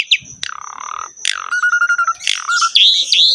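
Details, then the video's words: Asian pied starling song with a richly varied fill: a sharp crack, then drawn-out level whistles, a run of evenly spaced pulsed notes and rising squeaky phrases, against a constant thin high tone. "KICAUAN BURUNG JALAK SUREN GACOR FULL ISIAN MEWAH"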